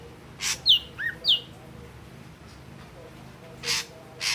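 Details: Ashy drongo with red eyes giving two quick downslurred whistles and a lower curled note, followed by a pause and two broad noisy bursts.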